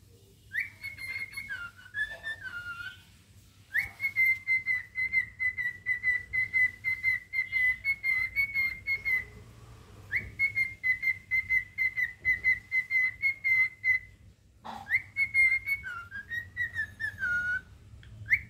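A cockatiel whistles a song of long, steady high notes broken by quick wavering trills.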